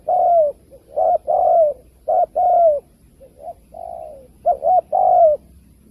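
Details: Spotted dove cooing, used as a lure for trapping: low hooted notes in paired short-long groups, the long note sliding slightly downward, repeated with brief gaps, plus a few softer hoots.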